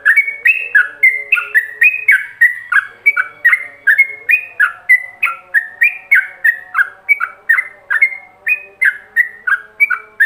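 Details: Yellow-vented bulbul singing ropelan style, meant for other bulbuls to copy: a long, unbroken chain of loud, chirpy whistled notes that rise and fall, roughly three per second, over a soft low drone.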